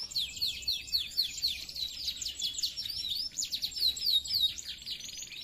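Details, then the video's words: Clear-voiced canary song meant to rile rival birds: an unbroken fast trill of crisp, downward-slurred chips repeated several times a second, high and bright, over faint background hiss. "Suara Burung kenari Gacor , suara jernih bikin emosi lawan"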